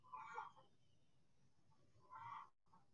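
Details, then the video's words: Chickens in a sunny backyard, two mid-pitched clucking bursts about two seconds apart over a steady low background hum. "Backyard Chickens In The Sun"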